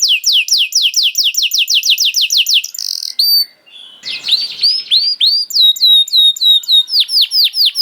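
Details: Canary singing as a bait recording to prompt other canaries to sing, opening with a long run of quick downward-sweeping whistles, a brief harsh buzz, then varied rising and falling notes repeated rapidly.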